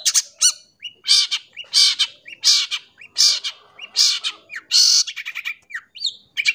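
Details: Long-tailed shrike song used as a tutor for young birds: loud, rasping, broadband notes in uneven bursts, interspersed with short whistled slurs.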